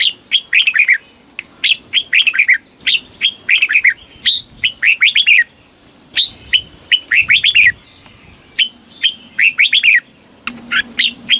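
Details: [2, 'Caged Red-whiskered bulbul from Thailand giving southern master-style song used to stimulate birds and teach young ones. Short bubbly whistled phrases repeat about every second and a half, steady and loud, with a quiet background.']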